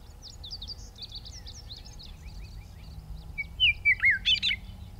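A Western meadowlark sings a flute-like phrase of clear, falling whistles that breaks into a quick, bubbling warble at the end. Faint high chirps from other birds come first.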